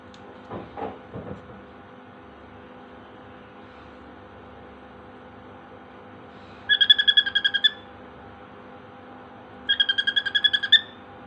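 A cockatiel mimics a phone alarm in two bursts of rapid, bright electronic-sounding beeps.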